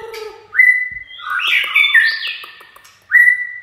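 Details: Chạy cầu song of a white-rumped shama: a quick rising whistle that levels off, a dense tumbling warble of mixed notes, a quiet pause, then the rising whistle again.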